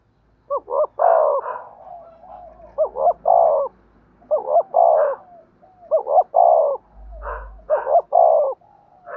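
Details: Spotted dove in the 'giọng đồng' voice style, used as a lure to provoke wild 'giọng thổ' doves: low hooting phrases of two short notes and a longer purring coo, repeated about every two seconds.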